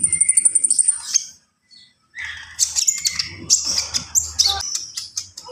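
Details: Javan pied starling singing: a rapid series of high clicking notes, a brief pause, then a burst of harsh chirps, whistles and squawky phrases over a low background hum.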